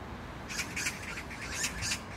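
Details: Brief harsh outburst from a magpie in an Incheon park, South Korea, June 19, 2022: a handful of raspy broadband notes in quick succession above faint low background hum.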